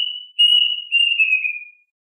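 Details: Plaintive cuckoo calling its flock: a long, clear whistled note that slides gently downward over under two seconds, with no other sounds.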